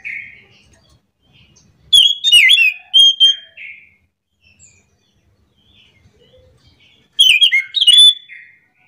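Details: Morning song of an orange-headed thrush (anis macan): two loud bursts of rapid, varied whistled and chattering phrases several seconds apart, separated by near silence with faint soft notes.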